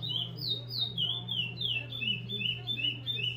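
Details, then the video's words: Captive chestnut-bellied seed finch from a breeding aviary, a repeater-style singer, delivering a fast run of clear whistled notes that slide downward, about three per second, over a steady low hum and faint room noise. "CURIO REPETIDOR"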